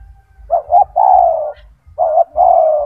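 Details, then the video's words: Kept spotted dove (tekukur), a prolific singer with a big, loud, forceful voice, used as a tutor for other doves: mellow hoarse coos in grouped phrases, a short double note, a long rolling coo, then two more coos, over low rhythmic thumps. "The sound of a gacor turtle dove | Suara burung tekukur gacor"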